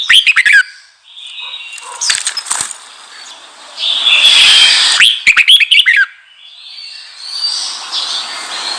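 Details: Red-whiskered bulbul song aimed at rousing newly caught bulbuls. Several short bursts of quick, tumbling whistled notes are broken up by stretches of hissing noise.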